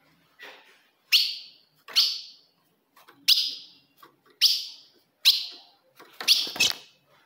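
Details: Ultramarine grosbeak female calling to challenge a male: a steady series of about seven sharp, descending chips, roughly one every second, the last two close together.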